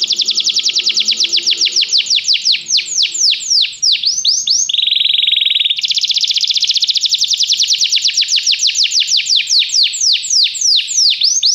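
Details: Canary song used as training to prompt a canary to sing: long fast trills of descending sweeps, a steady buzzy rolling tour in the middle, then more rapid repeated sweeping notes, loud and continuous.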